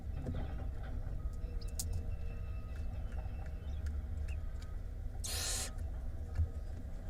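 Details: Barn owl nestlings in a nest box in Israel on 5 May 2021, the oldest 37 days old, one eating while another peeks out; a single harsh, breathy hiss lasting about half a second rises over a steady low hum and scattered faint clicks.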